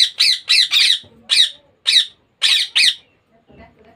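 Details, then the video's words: Harsh, buzzy squawks from a baby Indian ringneck parakeet, rapid and irregular, some joined in short runs of three, with brief low rustling between calls in a quiet room. "Baby parrot sound Ringneck Parrot natural sound."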